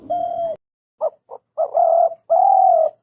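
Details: A spotted dove (Spilopelia chinensis) gives low, hollow coos: a long note, two short clipped ones, then two drawn-out coos, all on a soft steady pitch.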